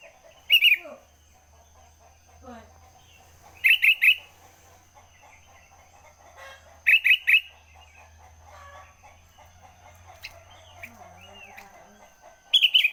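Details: Sooty-headed bulbul in early-morning song: loud chirpy, bubbling phrases repeated every three seconds or so, with low hum and scattered quieter bird chatter between bursts.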